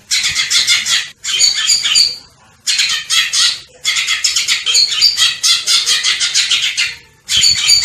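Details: Cucak ijo (greater green leafbird) pouring out long runs of rapid, rasping, chattering notes mixed with brief whistles, broken by short gaps, loud and continuous for most of the stretch.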